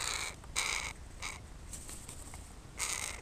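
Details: Crows play on a person as if on a playground, with short scratchy caws in an uneven burst of three at the start and another rough call near the end, over soft background noise.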